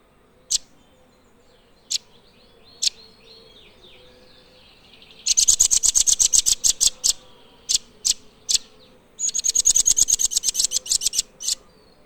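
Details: Blue nuthatch singing two rapid, high, rattling trills of clipped notes, each about two seconds long, with isolated sharp chips before, between and after them.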